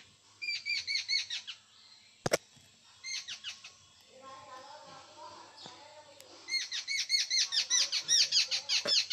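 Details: Jungle babblers in Konkan, India, give bursts of high, squeaky, rapidly repeated notes in three rounds, broken by a sharp click and a softer, lower chattering in between.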